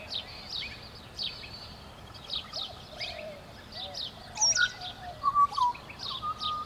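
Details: Pied butcherbird morning song in Southern Queensland in August 2017: pure, fluted whistles, some sliding down, come in the second half over a busy chorus of thin, high chirps from other birds.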